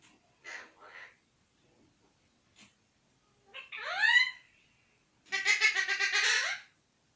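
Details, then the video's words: Talking parrot saying "mithu mithu radhey radhey" and whistling: soft murmured syllables, a bright rising whistle, then a loud, rapidly pulsed, word-like phrase lasting over a second. "Talking parrot"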